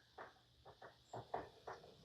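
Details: A woodpecker hammers on a tree behind an abandoned farmhouse at Evansburg park while moving up the trunk, giving single, dull taps, six in two seconds at an uneven pace, against a quiet background.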